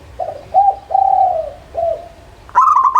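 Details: Cooing of a local zebra dove: a short note, two long smooth coos sliding slightly downward, another short coo, then the start of a fast chattering burst of notes. Steady faint hum.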